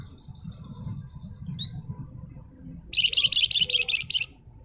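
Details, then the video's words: Flamboyan, or wergan jawa (spotted crocias), bursting into a fast run of sharp, high chattering notes after a quiet spell of faint low murmuring and a few thin whistles. "Burung Flamboyan Gacor"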